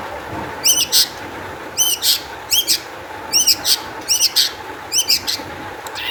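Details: Energetic long-tailed shrike lure song for stirring other shrikes to sing: arched, down-slurred whistles delivered in pairs followed by a rough burst, the phrase repeated roughly every second and a half.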